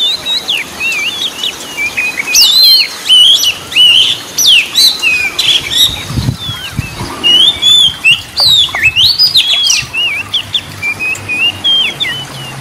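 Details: An Oriental magpie-robin, used as a lure to provoke other magpie-robins into singing, sings a rich, varied stream of clear whistles slurred up and down with short pauses; overlapping phrases suggest other birds nearby.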